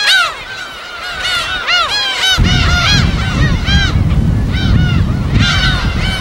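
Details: Chorus of gulls at their natural colony on an uninhabited West Sea island in Korea: crowded, overlapping downcurved yelps and squeals, with crashing waves and a steady low roar starting partway through.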